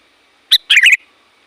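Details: Sooty-headed bulbul calling loudly and persistently to draw in wild bulbuls; one sharp opening note followed by a quick bubbling, chattering phrase, then silence.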